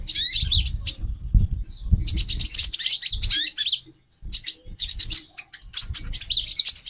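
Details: High, scratchy twitters and sharp chirps from a female brown-throated sunbird, used to stir the male's breeding urge, coming in dense bursts with brief gaps; dull low knocks sound beneath.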